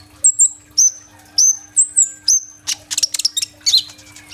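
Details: Caged sunbird giving lively song, recorded by phone: several thin downslurred whistles, then a fast stuttering burst of harsh, buzzy notes and a final squeaky slur.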